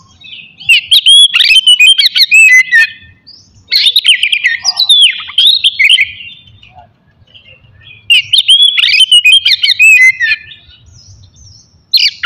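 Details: Oriental magpie-robin in morning song intended to rouse aggression and breeding drive in others; three energetic bursts of mixed whistles, buzzy chatters and rising slurs, with short quiet gaps between.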